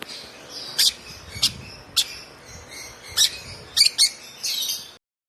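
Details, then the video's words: A month-old African lovebird chick, hand-fed since two weeks of age, chirps in short sharp high notes, singly and in quick pairs, ending with a longer buzzy call before the sound cuts off. "Chirping sound of this lovebird"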